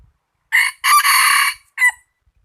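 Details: Rooster crowing loudly: a short opening note, a long harsh harmonic middle section of about seven tenths of a second, then a brief clipped final note, all in under two seconds against a silent background.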